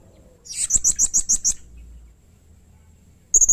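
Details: Blue-crowned hanging parrot (serindit) recorded as a prompt and master sound for training birds: about seven rising, shrill, high chirps at a steady quick pace, followed after a silence by the start of another high note.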